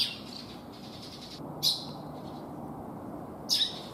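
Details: Asian house martins at a nesting colony where sparrows that moved in over winter compete with them for nests, first seen in mid-March. Two brief, high, buzzy chirps come at about 1.6 and 3.5 seconds over faint twittering and a low steady hum.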